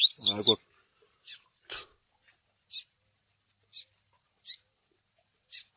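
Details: Double-collared seedeater chick begging, played to train a male: a harsh, buzzy burst opens the recording, followed by six clipped high chips at uneven intervals of roughly half a second to one second.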